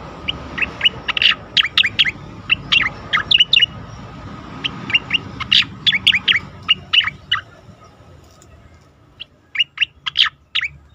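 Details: Asian pied starling song in a training recording for contest birds: a steady stream of sharp, chirping and squeaky notes in irregular bursts over faint background noise.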